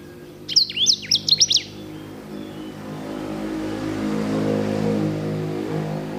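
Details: Sanger (edel/herda) giving a brief burst of high, rapidly sweeping whistled notes, followed by a steady rising hum of engine-like background noise.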